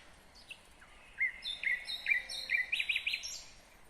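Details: Nightingale singing in Kyrgyzstan in 2020: a varied phrase of sliding whistles, then quick repeated chirps and a bright high trill, notes coming rapidly over about three seconds.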